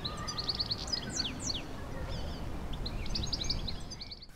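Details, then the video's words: European goldfinch singing in a treetop in the Kensington Palace grounds, London, on a cold April day in 2016: a fast, tinkling run of high twittering notes and slurred chirps over steady low city rumble. "a goldfinch is singing in a treetop. We"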